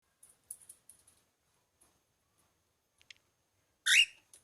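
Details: A pearl cockatiel gives a single loud, harsh screech after a run of faint high clicks and ticks.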